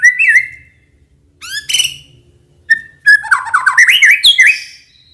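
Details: White-rumped shama singing as a lure for other shamas. Short whistled notes separated by pauses, then a fast tumbling run of varied chirps and slurred whistles.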